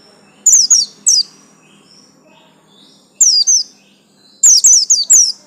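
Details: White-eye of the pleci buxtomi yellow-stripe type with groups of two to four bright, high downslurred tweets separated by silent gaps of about two seconds, ending in a quicker cluster.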